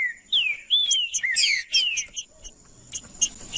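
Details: Green-winged saltator song played to warm up a cold, non-singing bird: rich clear whistled phrases with sliding notes, then sparse chirps, over a steady high whine.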